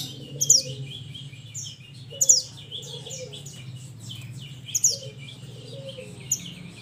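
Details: Mountain minivet, known locally as mantenan, calling its companions, recorded as a lure sound: sharp, high chirps in short bursts about every two seconds, with a faint lower whistled tone after some bursts and a low steady hum underneath.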